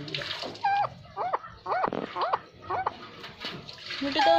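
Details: Angry pet parrot calling: harsh, harmonic squawks repeated in a steady series about every half second, with a louder cluster near the end and some faint background noise.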